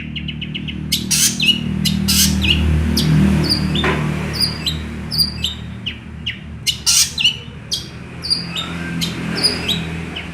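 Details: Long-tailed shrike in full song, weaving small-bird imitations into a busy stream of harsh buzzy bursts, scratchy squawks and thin downslurred whistles, uneven in rhythm across ten seconds.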